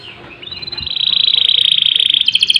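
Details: Canary singing in full voice, recorded as a master and lure song to train and provoke other canaries. Starts quietly, then a long fast roll of high trilled notes builds, ending in a sharper, brighter rapid trill.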